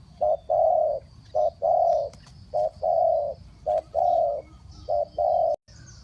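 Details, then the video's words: Spotted dove used as a decoy to call wild birds, cooing in the Thai style known as three-kuk hanging. Low, mellow coos come in pairs, a short note then a longer drawn one, four pairs over six seconds, with a faint steady high hiss. "เสียงนกเขาใหญ่ 3กุกห้อย เรียกลงกุก2กุก"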